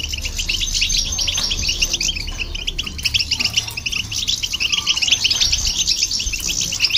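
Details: Goldfinch and hybrid singing to provoke other birds; a long unbroken stream of quick, high, jingling twitters and trills with little change in pace.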